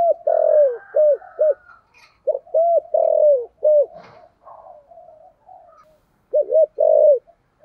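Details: Spotted dove kept as a decoy to draw in wild birds, singing in the 'thổ' voice style; series of deep, rounded coos, long then quickly repeated short ones, a brief click midway, then a renewed run of coos.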